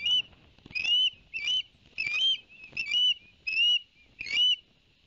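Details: Barnegat Light osprey nest, 11 September 2021, fish delivered to the chicks: a regular series of seven high whistled upslurs, roughly one every 0.6 seconds.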